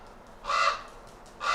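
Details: A common raven, very upset while being chased by a retired wolf at a wolf care centre in July 2021, gives two harsh, rasping distress calls about a second apart, each hoarse and grating, over a faint steady hiss.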